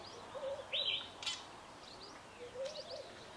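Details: Two Fork-tailed Drongos singing together: a bright swooping whistle, a brief scratchy burst, then thin faint chirps and soft low warbled notes scattered through a quiet background.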